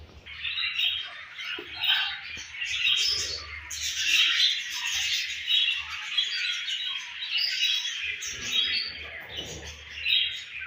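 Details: Home-bred budgerigar baby chattering loudly and continuously, scratchy chirps and squawks tumbling in irregular phrases, with occasional low thumps and hum.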